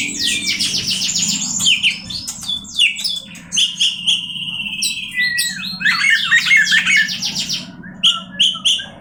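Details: Oriental magpie-robin, a song meant to rile up other magpie-robins, pouring out rapid high trills and chattering notes broken by longer steady whistles, almost without pause.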